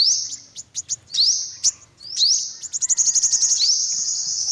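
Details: Olive-backed sunbird with ticking notes and upward-sweeping chirps, ending in a rapid high buzzy trill.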